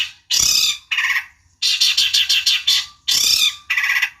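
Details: Long-tailed shrike giving harsh, broadband rasping notes in bursts of about half a second, separated by short gaps, used to provoke a rival into answering.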